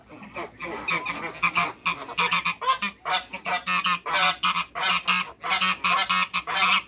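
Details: Two male and one female African geese in a backyard give a steady run of loud, harsh honks, repeated quickly and rising in intensity toward the end.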